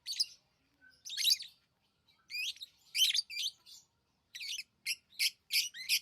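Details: Pet lovebirds chirping: scattered harsh bursts, then a series of five evenly spaced sharp chirps about every third of a second near the end.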